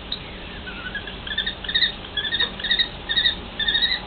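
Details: Common kestrel pair in a long marital exchange: soft, quick, chattering short notes strung in uneven runs, growing a little louder midway, with a low hiss throughout.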